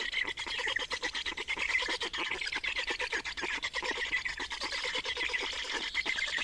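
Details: Black storks on the nest in Estonia, 28 May 2019, during changeover and feeding: an unbroken, rapid, scratchy pulsing chatter, harsh and fairly even in loudness.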